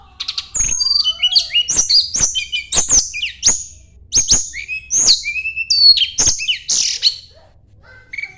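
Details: Sunda blue robin, mountain bird, singing to seek a rival: a busy stream of sharp ticks and high swooping whistles, phrases tumbling over one another for eight seconds.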